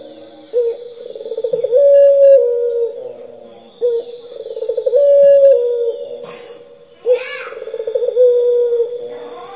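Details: Puter pelung turtle dove in full gacor nglocor cooing, played as a lure recording: deep held coos sliding into bubbling rolled trills in phrases roughly every three seconds, with a brief higher chirp from another bird midway and a thin steady background tone.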